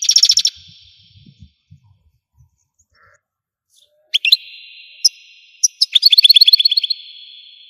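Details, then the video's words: Algerian European goldfinch singing: a brief rapid burst of high chirps, a long pause, then bright twittering notes running into a fast, regular trill of metallic chirps over a steady high tone. "تغريد الحسون قمة الابداع ! حسون جزائري"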